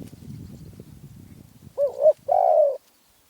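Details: After low rumbling noise, a Spotted dove from Phrae, Thailand, delivers one phrase: a brief wavering coo followed by a longer, smooth, falling coo.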